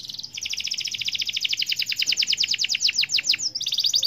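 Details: Canary singing gacor style: a long, rapid, rattling trill of high doubled notes, slowing toward the end into separate down-slurred whistles, then a brief fresh trill.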